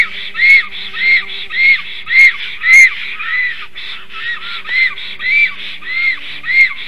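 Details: Male and female black storks at the nest, calling as an unfamiliar stork approaches the nest tree, 11:42 am on 12 July 2023. Rhythmic, wheezy, arched squeals repeat nearly twice a second with a few sharp taps between.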